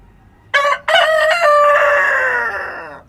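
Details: Rooster crowing at dawn in the countryside: a short clipped opening note, a brief break, then a long harmonic-rich cock-a-doodle-doo that holds steady before sliding gently downward over about two seconds.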